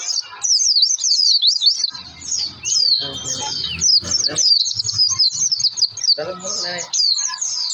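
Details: Oriental white-eye singing energetically, used as a lure song to set other white-eyes singing: a rapid, continuous stream of high, sharp zig-zag twitters and chirps, with a long thin whistle near the middle and faint low background noise.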